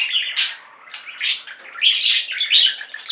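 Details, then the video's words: Singing budgerigars from a pet flock: chirpy, scratchy warbling with a few piercing whistled squeaks over a steady chattering background. "Most Beautiful Budgie songs Ever: Budgies singing and chirping"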